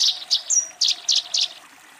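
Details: Eurasian tree sparrow calling a rival while fighting: five short, bright, high chirps spaced about a quarter second apart, with one thin whistled note slipped in after the second chirp, then quiet.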